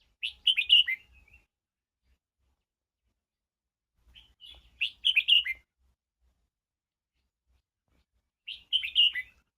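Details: Red-whiskered bulbul giving a stimulating song to draw out voice: three short, cheerful warbled phrases of tumbling whistled notes, separated by pauses of about three to four seconds in otherwise quiet surroundings.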